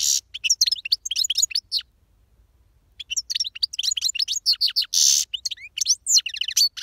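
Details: Powerful song of a European goldfinch, rapid liquid twitters and sharp chirps mixed with brief buzzy rasps, about two seconds of song, a one-second gap, then a longer, denser run of tinkling notes.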